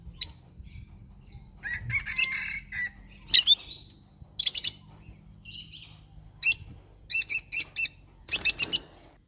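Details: Lovebird parrot singing: mixed soft twitters and loud shrill chirps, building toward rapid runs of evenly spaced chirps near the end.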